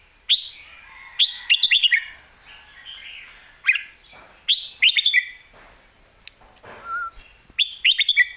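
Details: Caged red-whiskered bulbul of professional contest standard in Thailand alternating lak wai and mae bot song styles: bright warbling phrases of several rapid whistled notes, repeated roughly every one to two seconds, with a soft lower note between.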